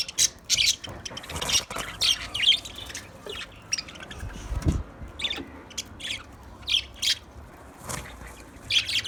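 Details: White budgerigars calling in captivity, short bright chirps and squeaks scattered singly and in small groups, separated by brief quiet gaps and light rustling.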